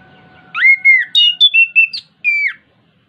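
An orange-headed thrush sings a quick run of rich, varied whistles, sliding and warbling high in pitch, with a faint steady hum before it begins.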